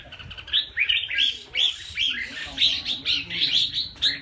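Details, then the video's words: Red-whiskered bulbul singing a lively run of short, bright warbled phrases, about eight or nine quick rising-and-falling notes packed closely together, each a clear whistled burst, with a faint low hum underneath. "Clip Chim chào mào hay"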